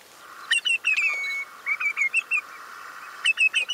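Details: Common redshank giving clear, ringing piping notes in quick bursts, with one drawn-out level whistle near the start and further repeated yelping notes at the end.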